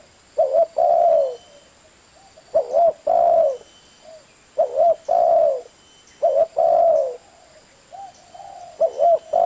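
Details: Spotted dove giving clear, low cooing phrases, each a short wavering coo followed by a longer drawn-out note, repeated about every two seconds over a faint background hiss.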